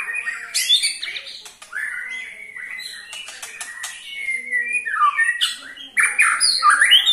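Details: Ketrekan from a white-rumped shama, aimed at getting other shamas singing: rattling ticks interleaved with rich whistles and sweeping slurred notes, ending in loud, bright phrases.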